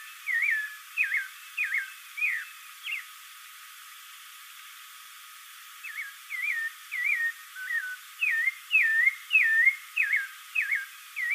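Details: Spectacled thrush, locally called caraxué or sabiá-de-óculos: clear whistled song of short looping phrases, first four quick phrases, a pause of about three seconds, then a longer run of varied rising and falling whistles, one every half second.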